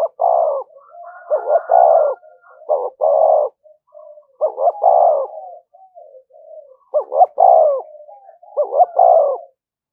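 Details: Spotted dove as a fighting decoy, calling without pause: dense run of short notes and long descending coos, phrases repeated closely with softer murmuring coos between.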